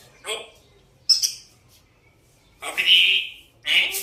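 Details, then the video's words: African grey parrot that is always whistling and trying to talk. Brief harsh, breathy bursts are separated by short pauses, including a longer, louder rasping note and a final squawk. A person speaks just beforehand. "Always whistling and trying to talk, African Grey Parrot"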